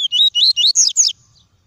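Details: Caged double-collared seedeater in tuí tuí song, used to warm up and stimulate seedeaters: five loud, clear, high whistled notes in quick succession, each sliding up and down, rising higher toward the end, lasting about one second.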